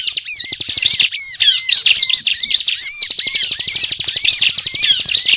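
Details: Bar-winged prinia (ciblek) in lively, nonstop chattering song, played as a lure for trapping birds; dense high twittering with rapid trills and repeated down-slurred whistles, continuous throughout, overlaid by a fast low pulsing rattle.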